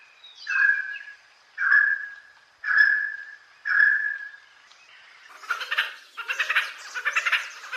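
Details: Red Spurfowl call: four drawn-out, slightly falling quacking notes about one second apart, followed by a burst of rapid, harsh, rattling cackles.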